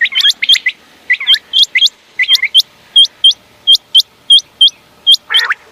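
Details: Common quail calling for night use: sharp whistled upswept notes in quick pairs and threes, preceded by overlapping chattering, lower buzzy notes from other birds, with a short harsh rasp at the end.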